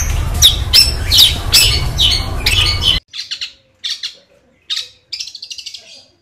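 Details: Madura-type long-tailed shrike with loud, harsh squawking notes over a rumbling background, then clearer, clipped chattering bursts and rapid stuttering chirps separated by short pauses.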